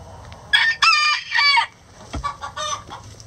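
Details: Chicken egg song: a few loud, harsh, nasal squawks in quick succession, the middle ones drawn out, followed after a short gap by fainter shorter squawks and a soft thud.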